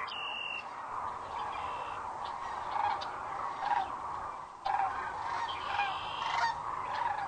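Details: Sandhill cranes arriving for the night at Rowe Sanctuary, Gibbon, Nebraska, at sunset on April 4, 2013, recorded by a crane cam; a dense continuous chorus of rolling, rattling calls with a few louder bursts, faint high chirps above.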